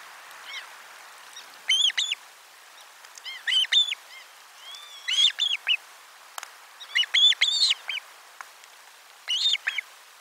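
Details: Osprey on nest 4, 12 July 2022, lunchtime fish brought to the nest, filmed by a nest camera: short bursts of two to four high, piercing, arched chirps roughly every one to two seconds, with faint hiss beneath.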